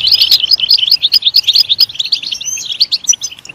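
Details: Goldfinch stimulated into loud singing gives rapid, rolling twitters of short, bouncy chirps, with a thin whistled glide around two and a half seconds.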